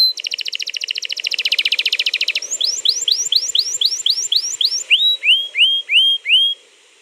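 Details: Canary singing a long rolling song, played on 21 April 2022 to prompt another canary to sing: a rapid buzzy trill, then quick series of rising whistled sweeps, ending with slower, lower upslurred notes repeated about twice per second.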